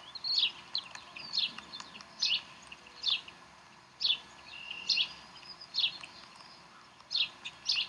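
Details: At the Decorah Bald Eagle nest, 11 April 2012, the chicks are fed. A run of about ten high, piercing, downslurred chirps comes at uneven intervals of roughly a second against low steady hiss.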